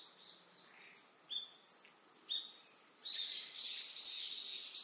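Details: Eastern yellow wagtail on Amami Oshima, Japan: two thin, sharp downslurred calls about a second apart, then a burst of high, rapid chirping, over a steady background chorus of crickets.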